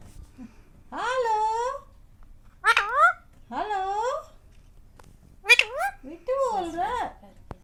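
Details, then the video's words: Pet ringneck parakeet indoors, saying it is hungry: a string of six nasal, speech-like syllables and short phrases with bending tones, spaced unevenly over several seconds. "Parrot talking Mummy mithu ko bhuk lagi 😋 || Ringneck talking parrot"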